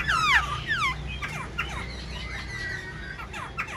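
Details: Kept black-throated laughingthrush singing while fanning its wings and tail: loud descending whistled slurs at the start, followed by softer scattered notes over steady low background hum.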